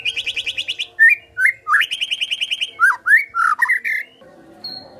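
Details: White-rumped shama in full, loud song: a rapid trilled burst, then varied whistled and slurred notes rising and falling, with quick rattling phrases; faint low hum beneath.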